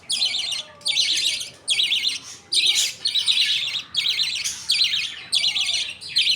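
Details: At feeding time in a budgerigar colony, a father budgie feeds millet paste to his two chicks while the mother and other budgies wait. Rasping, buzzy bursts repeat steadily, a little more than one per second.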